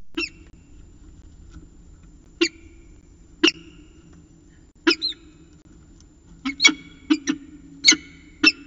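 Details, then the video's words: Peregrine falcon at Orange, early morning of 25 December 2019, chatting quietly: spaced harsh raspy notes at first, then a quicker burst of several chittering calls near the end, with low background hum. "Peregrine Falcon ~ Early Morning Chat"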